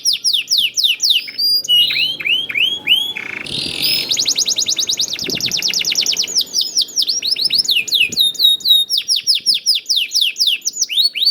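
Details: Young canary pouring out a prompting song for other canaries. Quick cascades of descending whistles alternate with very fast rolling trills, the phrases running back to back with hardly a gap.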